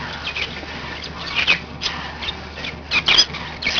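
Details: Several pet budgerigars giving scattered short, high chirps and squeaks, a few notes each second, with soft chatter between them and a low background hum.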